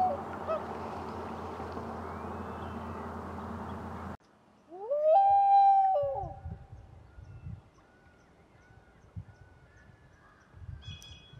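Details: A common loon calls in Maine, recorded from a kayak: one long, mournful note that swells, holds steady and fades over about a second and a half, after four seconds of rushing wind-like noise.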